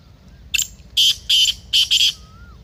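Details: Black francolin (kala teetar) calling, a sound used to stir a kept francolin to masti and chakri. One rasping phrase of a brief opening note and four harsh, buzzy notes is heard, with a soft whistled note after it.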